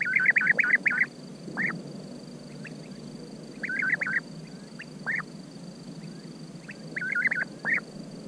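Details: European bee-eaters (Merops apiaster) give rolling, liquid 'prruip' calls in quick bursts of four or five, with single notes between, over a low rumble and a steady high hum.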